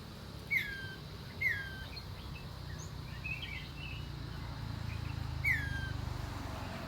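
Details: Three separate down-slurred whistles from a common iora, each about a second apart at first, then one more after a gap, with faint chirps between and a low background rumble.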